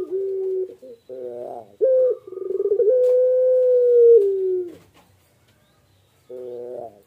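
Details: Barbary dove, called puter pelung, cooing while it incubates eggs; short clipped notes and a pulsed roll rise into one long sustained coo, then silence before another short burst.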